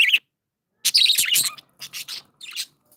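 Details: Budgerigars kept as pets give a loud burst of scratchy chirps and squawky warbles, then a few softer chirps after brief pauses.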